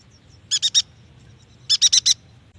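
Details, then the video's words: Yuhina song for prompting young, newly kept or reluctant yuhinas to sing: two quick bursts of bright chattering notes, three then four, about a second apart, with a soft low rumble behind. "AMPUH untuk memancing bunyi burung yuhina bakalan, muda dan malas bunyi"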